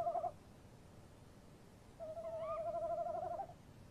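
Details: Tawny owls calling at about 3 a.m. on 23 March at a nest box in woodland, male opening and female answering: a brief low hoot, then after a pause a long, wavering, quavering hoot of about 1.5 seconds, steady in pitch, quiet background.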